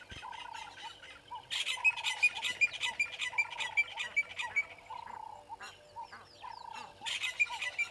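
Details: Egyptian goose family filmed by a live camera at Gowrie dam, Djuma Game Reserve, Sabi Sand Wildtuin, South Africa, on the morning of 25 December 2021 at 09:18: loud, coarse, honking rasps in quick series, pausing, then resuming, against background bird whistles.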